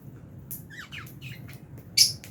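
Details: Aviary lovebirds of Fischer's and albino forms chirping at meal time; a run of soft downslurred chirps followed by one louder, harsh high squawk near the end, low hum beneath.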